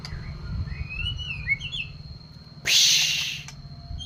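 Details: White-rumped shama being reared from spotted juvenile to adult plumage to become a fighter; a few soft, slurred whistled phrases early on, then a loud broadband rustling burst, over a steady low rumble and a thin high tone.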